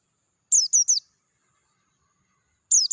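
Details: A clear-voiced Dakun Oriental white-eye sings ngalas-style outdoors: a quick string of three high, falling chirps, then silence before another phrase begins.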